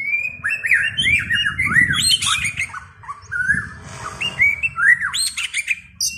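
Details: White-rumped shama singing a rich, varied phrase of looping whistled notes that rise and fall, mixed with brief harsh scratchy elements.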